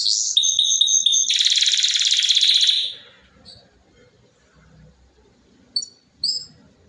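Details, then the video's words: Domestic canary song: a high whistled phrase and a dense buzzy trill for about three seconds, followed by near silence broken by two short chirps. "Canto Canario do Reino"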